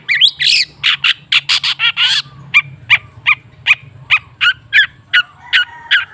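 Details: Long-tailed shrike song used as a lure to prompt a silent shrike to sing: a burst of harsh, broad chattering notes, then sharp separate chips repeated about three times a second, with a faint low hum beneath.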